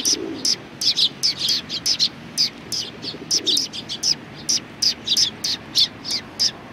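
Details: A flock of sparrows next door at a Tenmangu shrine, 14 March 2019, giving a steady stream of bright, clipped chirps from several birds at once, with occasional low dove coos in the background.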